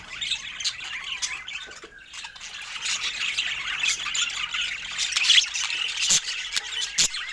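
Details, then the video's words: Pet budgerigars sharing fruit, soft chatter swelling into louder squeaky warbles and chirps, with a few sharp clicks scattered through. "Cute Budgies Sharing Fruits with Funny Happy Sounds"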